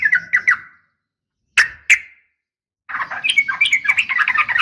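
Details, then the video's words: Fighting call of a sooty-headed bulbul female calling the male: three quick slurred notes, two sharp separate notes, then a loud, jumbled, rapid chatter of overlapping notes. "trucukan gacor SUARA TARUNG ROPEL UPLIK"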